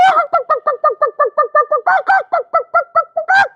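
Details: Chicken (Gallus gallus domesticus), egg-laying cackle: hen announcing she has just laid an egg.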